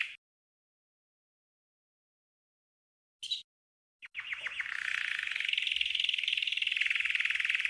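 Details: Green canary training song: brief bursts after a long silence, then a sustained, very fast rolling trill that keeps going to the end.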